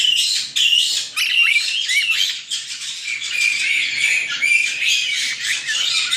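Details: Young white-bellied caiques, nine of them, chatter in an aviary near Dallas, Texas: rough overlapping squawks mixed with short upward-sliding whistles, continuous and loud throughout.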